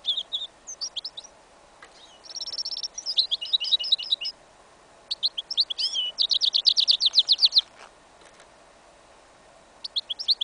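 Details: Hybrid of goldfinch and yellow isabel canary, incomplete song recorded in a field in winter: quick twittering phrases, buzzy trills and rapid repeated high notes in bursts with short gaps.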